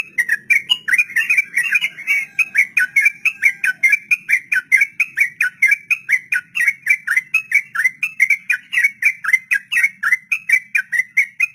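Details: Sooty-headed bulbul delivering a long 'ropel' song, used to train beginner captive birds: a sustained, fast string of loud whistled notes, about four per second, holding a fairly even pitch throughout.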